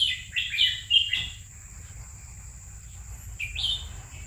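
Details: A caged red-whiskered bulbul, owned two years, opens with a fast cluster of bright fluty notes, pauses, then adds a brief two-note whistled flourish, against a quiet steady hum.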